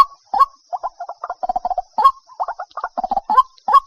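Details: White-breasted waterhen (Amaurornis phoenicurus): a fast run of hoarse, croaking notes, several per second in uneven bursts, over a thin, steady insect-like hum; people laughing nearby.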